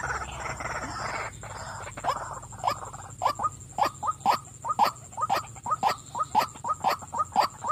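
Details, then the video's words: A female white-breasted waterhen starts after a short burst of broadband noise, then gives rapid, regular hoarse croaks about twice a second. "burung wak wak betina suka memanggil"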